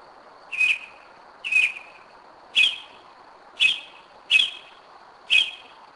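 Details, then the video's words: Single sharp chip notes from a Northern mockingbird at 2am in Kennesaw, Georgia, spaced roughly one second apart, six in a row, over quiet night background. "Mockingbird 2am 2011"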